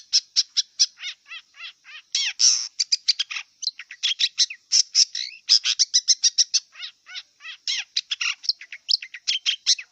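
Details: Wild long-tailed shrike singing a long, fast run of sharp, clipped high notes and falling chirps, nearly continuous, broken by one harsh buzzy burst and occasional varied whistled slurs.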